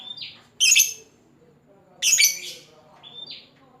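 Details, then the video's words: Lovebird calling a rival: two harsh, shrill squawking bursts roughly 1.5 seconds apart, with thin short whistles before and after, faint low murmur beneath. "suara burung lovebird pancingan lovebird ngekek panjang memanggil lawan"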